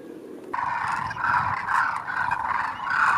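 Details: Thousands of migrating Demoiselle cranes landing at a water hole in Khichan, Rajasthan, India, give many overlapping rolling, croaking calls that merge into a continuous mid-pitched clamour after a quiet half-second start.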